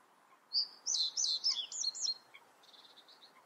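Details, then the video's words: A common reed bunting sings a short, jerky song of a few high chipping notes, followed by a faint quick ticking trill against a quiet background. "Rohrammer singt. Common Reed Bunting sings"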